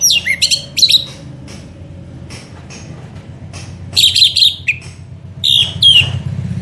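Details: Lure recording of orange-headed thrush singing: short clusters of sharp, high whistled and slurred notes come in bursts over a steady low hum.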